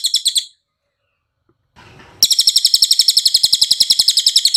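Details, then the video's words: Cililin song used as tutor material for captive songbirds: a short burst of high ringing notes, a soft noisy hiss, then a long, loud, rapid trill of evenly spaced metallic pulses. "MASTERAN CILILIN SUARA JERNIH"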